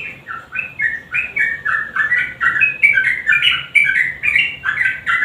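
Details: Sooty-headed bulbul lure song for prompting silent birds to sing: short, rich whistled notes given in quick two- and three-note steps, rising and falling, packed closely over a few seconds.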